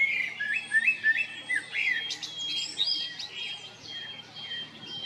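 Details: Male common blackbird in Zagreb, Croatia, spring 2022, at Jarun or Prečko: rich warbled whistles in quick succession, followed by higher twittering notes, with a faint high thin tone from another bird behind.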